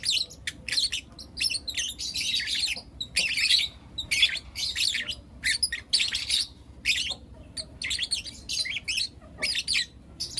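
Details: Four young lutino lovebirds chirping in the morning: dense bursts of harsh, high chattering chirps in rapid clusters, separated by short pauses, with a faint low hum beneath.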